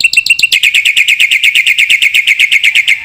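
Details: Black-winged myna masteran recording for training young caged birds: a few spaced chirps, then a steady, rapid series of loud, strident repeated notes for about two and a half seconds.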